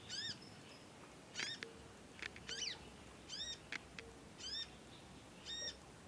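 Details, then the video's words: Chirps from a young conin learning its song in long nyecet bouts: bright, stacked, downward-curving notes roughly every second, with faint clicks and a low tone between them. "ANAKAN CONIN, NYECET PANJANG BELAJAR BUNYI & GACOR"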